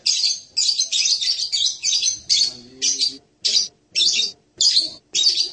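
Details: Blue-crowned hanging parrot singing a fast string of harsh, high, buzzy chirps, almost run together at first and then separated by brief gaps.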